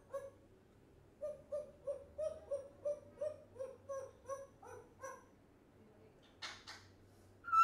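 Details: Young African grey parrot, one year old and a non-stop talker, utters a run of about a dozen even, nasal, repeated notes, then a brief rasp and a sharp clear whistle at the end.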